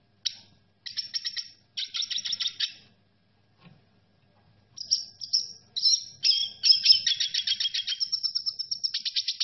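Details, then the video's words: A red siskin sings bursts of high, rapid twittering and buzzy trills, pausing briefly, then running into a longer, continuous warbling phrase. "ما شاء الله لن تصدق جمال صوت تغريد السيسكن الاحمر - Unbelievable Amazing Red siskin song"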